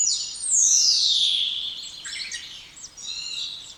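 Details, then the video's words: Spotless starling's long descending whistle followed by a jumble of varied chattering and twittering notes. "Canto dos Estorninho Impecável ou Estorninho Imaculado"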